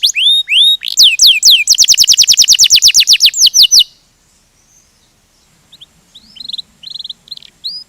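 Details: Canary singing 'ngerol' rolling song: a few rising whistles, then a long run of quick down-slurred notes that stops suddenly; after a silence, faint distant trills and chips follow.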